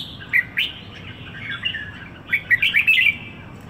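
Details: Red-whiskered bulbul, known locally as Merbah Jambul, one week in Singapore, gives two brisk chirps, a pause, then a rapid tumbling run of whistled, warbling notes.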